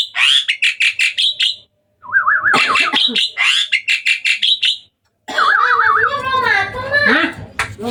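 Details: Nighttime singing from a hybrid Asian pied starling: a string of clipped harsh chirps, then wavering warbled whistles mixed with grating buzzy notes in long, loud, varied phrases separated by brief silences.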